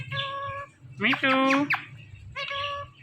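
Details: Talking Indian ringneck parrot imitating speech and saying its own name: three voiced, harmonic syllables, the middle one louder and buzzier, over a low background hum.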